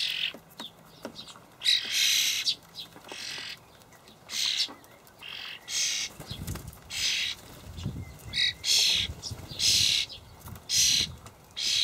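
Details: Young common starlings begging from parents carrying dried buffalo worms, allotment garden in Hamburg, May 2012; a continuous series of rough hissing screeches, each under a second, with faint low rumbling in the background midway.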